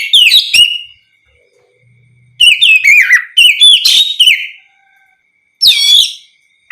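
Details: Oriental magpie-robin, ngeplong-style song used to draw replies from other magpie-robins: bursts of sharp, sweeping whistles and chattering notes in three phrases separated by pauses, a faint steady tone between them.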